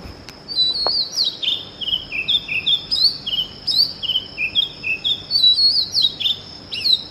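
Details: Early morning: an Oriental magpie-robin sings a rich, varied run of sweet whistles and slurred, descending notes, phrases tumbling one after another without pause.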